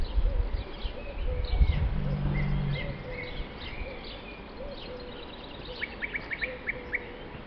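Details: Several European bee-eaters in the tops of tall trees at La Rocina/Acebrón, Doñana National Park, Spain, on 31 March 2011 give soft, rolling 'prruip' calls, overlapping, with sharper short notes toward the end over a steady low rumble.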